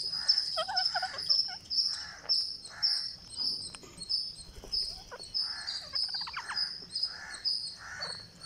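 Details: Green parakeet at day 49, begging while being fed: a shrill, high, pulsing rasp throbs about twice a second, with lower harsh squawk-like bursts mixed in.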